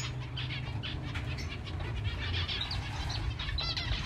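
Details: Captive zebra finches (Taeniopygia guttata) at breakfast time in breeding season chatter with a steady stream of short, nasal chirps and tinny beeps.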